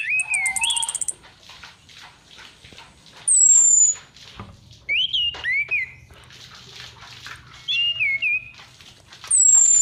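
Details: Female orange-headed thrush call used as a lure: long high whistles slurring downward, rapid buzzy trills, and warbled two-note phrases rising and falling, in separate bursts with quiet gaps between them.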